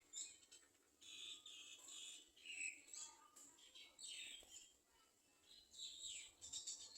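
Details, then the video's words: Garden sunbirds clinging to the nest to feed their young; high thin chirps and buzzy squeaky calls in bursts, likely nestlings begging, repeating through the clip over a steady high hiss. "Garden sunbird Birds cling to the nest to feed the baby"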